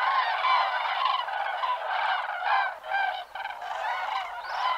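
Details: Flock of cranes on migration, calling while flying overhead; loud rolling, trumpet-like calls overlap in quick succession, with a brief dip around the middle before the chorus swells again.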